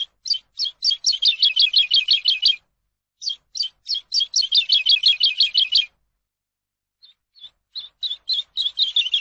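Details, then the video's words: Eurasian skylark, a training song for captive birds, delivering two fast bursts of closely packed, sparkling high notes separated by a short gap, with a quieter run of chirps starting near the end. "ALONDRA COMÚN AVE; CANTO PARA ENSEÑAR"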